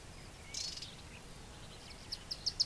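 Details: Corn bunting (Emberiza calandra) song: a brief high rustle, then a quickening run of four or five sharp, dry ticks growing louder, over a soft steady hiss.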